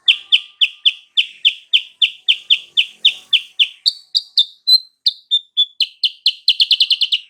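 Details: Sooty-headed bulbul lure for drawing an answer from a rival bird: a long run of crisp repeated notes, about three per second, shifting slightly higher midway, then accelerating into a rapid closing burst.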